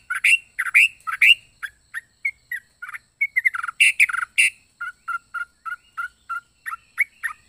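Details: Varied, strange-sounding song of a yellow-vented bulbul: loud throaty bursts, then a cluster of harsh notes, trailing into a run of small regular chirps.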